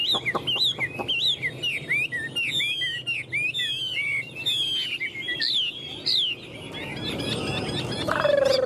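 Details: A tame Chinese hwamei in a cage, gripping its perch and displaying with wings and tail, pours out a fast continuous run of varied whistled notes, rising and falling, then fades into background noise near the end.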